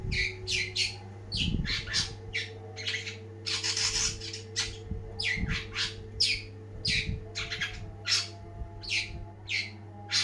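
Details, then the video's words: Long-tailed shrike singing busily: a steady series of grating squawks and short chirps, roughly two per second, one longer rasping burst midway, over a low electrical hum. "ocehan burung cendet gacor banget!!!"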